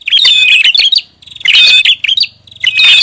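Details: Prinia lure call in a noisy style. Two quick bursts of shrill, scratchy chirping are cut by a brief lull with a faint low hum.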